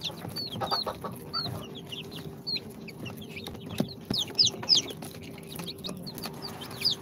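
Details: Two-day-old incubator chicks, Sultan, Golden Sebright, Cochin and booted breeds, make scattered high falling peeps, sparse at first and then a brighter cluster of louder chirps, with some soft knocks and a steady low hum.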